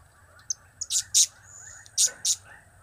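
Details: A blue-crowned hanging parrot, whose calls are named cap, kiak and crap, gives a couple of faint ticks, then two pairs of loud, harsh, high chirps.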